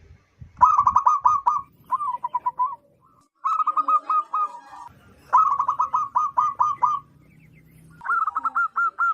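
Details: Loud local zebra dove used as a lure for wild zebra doves, delivering repeated staccato cooing phrases, each a quick string of six to nine bouncing notes, with short gaps between them.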